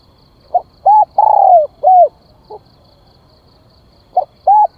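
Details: Decoy spotted dove calling to attract others: a complete four-part cooing phrase ending in a falling note plus a soft extra note, then the start of the next phrase after a pause.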